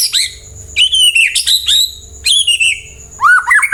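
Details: White-rumped shama singing to get other birds to reply and sing: loud, harsh-edged whistled phrases with sweeping and warbling notes in several bursts, ending in a lower fluty run.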